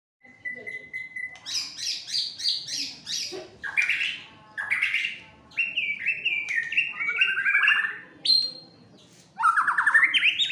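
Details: White-rumped shama, a fighter bird tested for mental strength, singing actively and agitated: a varied whistled song with a steady held note, then rapid clipped high notes, rising slurred whistles and a fast buzzy descending run.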